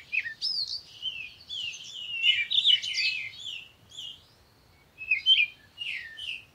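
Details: Parakeet chattering in a long run of bright, twittering notes, a dense cluster of slurred chirps in the middle, then a short pause and a final few squeaky phrases.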